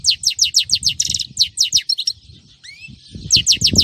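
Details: A European goldfinch sings in a Friday recording, pouring out a rapid run of downslurred twittering notes, about three per second, broken by a buzzy trill and a rising whistle, with low background knocks.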